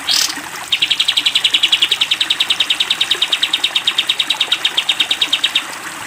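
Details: Long 'tembak' song of a sooty-headed bulbul used as a training recording for cage birds: an unbroken five-second volley of fast, even, high chipping notes at a steady pitch.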